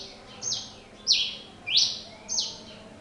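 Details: Singing pileated finch gives four broad buzzy notes, each dropping sharply in pitch then holding a rasp, spaced about 0.6 seconds apart over steady background hiss.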